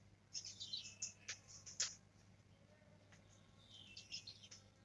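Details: A young black-throated canary learning to trill gives a few sharp high chirps and thin whistled notes early on, then quieter scattered twittering against a hissy background and low hum.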